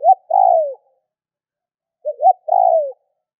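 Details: Spotted dove call used to trigger other doves to call: two matching phrases about two seconds apart, each with quick short notes and a drawn-out, downward-sliding coo, with quiet between them.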